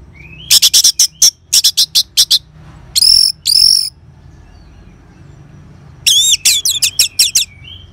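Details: Ngeban-style song of an Orange-headed thrush, played to spur caged birds to sing: fast bursts of sharp ticking notes, two ringing slurred whistles, a pause, then rapid chirping ending in a soft rising whistle.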